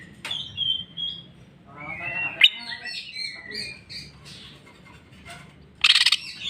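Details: Greater green leafbird giving a quieter medley of its filler repertoire: high whistled strands and short chirps, with scratchy notes and a loud harsh burst near the end.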